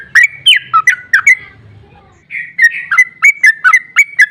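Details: Trucukan, the sooty-headed bulbul, giving excited 'ropel' song meant to provoke other bulbuls into singing: sharp slurred chirps, a short pause with faint low rumble, then evenly spaced bright notes repeated several times a second.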